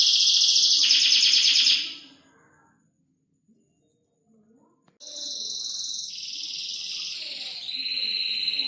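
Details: Canary kept in a cage gives a loud high trill that stops abruptly, followed by near silence for three seconds, then softer whistled and buzzy phrases resume.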